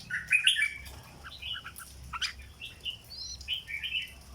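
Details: Red-whiskered bulbul kept as a cage bird, delivering its 'dok' style song: a lively string of short whistled and slurred notes, one clear rising whistle near the end, over quiet background hum.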